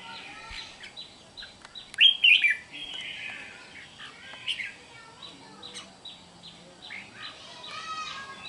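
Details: Red-whiskered bulbul of the unschooled 'mộc' type, recorded 8 June 2023: a loud, bright warbled phrase about two seconds in, followed by softer short chirping notes scattered throughout, over a steady faint high hiss.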